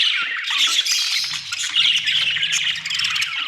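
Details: Dense, unbroken budgie warbling of scratchy chirps and squeaks, with a faint low hum in the background.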